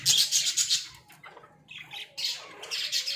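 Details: Small-caged pet budgerigars open with a fast pulsing squawky chatter, go quiet briefly with a rising squeak, then return to harsh scratchy warbling.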